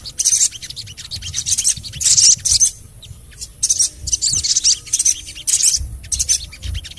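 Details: ['Ruby-cheeked sunbird (sogon) sound meant to coax other sogon into singing: clustered bursts of thin, very high, rapid chirps and twitters separated by short pauses.']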